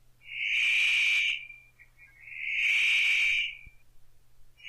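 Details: Paradise Riflebird, an immature male rehearsing his mating display in northern New South Wales lowland rainforest, utters two long coarse rasping notes about two seconds apart, a third starting at the end.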